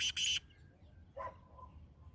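A black francolin gives a loud, harsh, grating double note, followed by a fainter, lower note about a second later.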